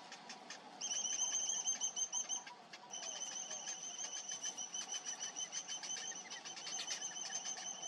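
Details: Young cinnamon bitterns, a week old, calling while being fed: a long run of shrill, thin peeps about three per second, with a brief pause before it resumes.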